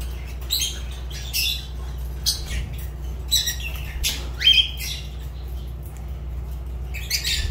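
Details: Fischer's lovebird giving shrill, harsh squawks in short bursts spaced irregularly over several seconds, with a steady low electrical hum underneath.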